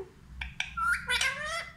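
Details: Pet talking parrot at home, giving a few short harsh notes then a rising, wavering squawk with bent tones; a person talks softly nearby indoors.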